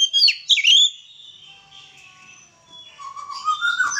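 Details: During a mating pairing of captive white-rumped shamas, loud sharp high whistles and twittering open the phrase, then a quieter stretch and a rising whistled series toward the end.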